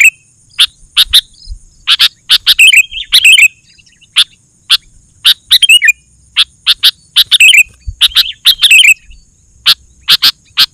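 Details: Persistent 'gacor' song of a sooty-headed bulbul used to call wild birds: a long sequence of sharp paired chirps with scattered short whistled warbles.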